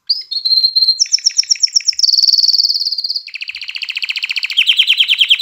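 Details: Canary song used to excite females to mate and to encourage young birds to sing: a short pure whistle, then a string of rapid high trills that shift pitch, ending in a lower buzzy rolling tour.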